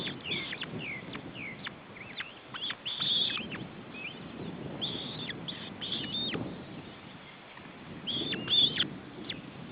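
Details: Osprey chicks being fed at a nest in Estonia, June 2012: sparse high chirps and short, sharp squeals in loose groups, with pauses between and soft low shuffling noise throughout.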